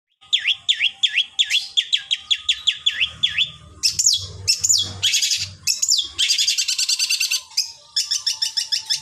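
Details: Long-tailed shrike song used as a training recording to make other shrikes sing: a run of repeated sharp V-shaped whistled notes, then rising buzzy sweeps and dense rapid trills, with a faint low hum beneath.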